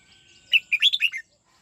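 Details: Red-whiskered bulbul, a kept bird in song training, singing in the '89 xoắn tít' (twisting) style: one quick phrase of about six clear, warbled whistled notes, rising and falling, lasting under a second, with quiet surroundings.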